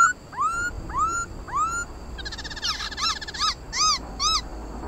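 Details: Singing contest by a black-throated laughingthrush: three rising whistled slurs about a second apart, followed by a harsh nasal rattle and short arched whistles.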